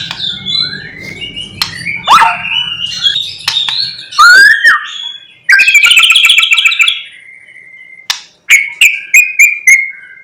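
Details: White-rumped shama singing in the morning to provoke other shamas: varied swooping whistles over a low rumble, a dense rattling trill, then a string of short clear notes repeated rapidly.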